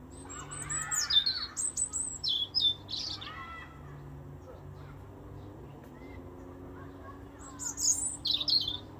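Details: A little robin sings bright, high, scratchy twittered phrases with quick slurred notes, pauses, then resumes with another high jumbled flourish; a soft low hum runs throughout.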